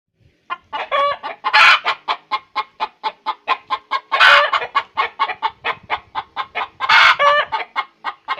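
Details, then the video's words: Hen calling after laying an egg: rapid series of short clucks, roughly four or five per second, broken every few seconds by a loud, long, harsh squawk rising then falling. "suara ayam bertelur"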